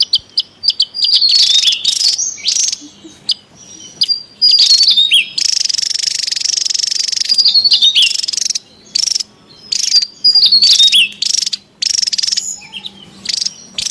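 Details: Javan tesia in a lively, noisy bout in the wild, used to lure and train birds: high chirps and whistled slurs, long buzzy rattling stretches, then quicker chattering bursts toward the end.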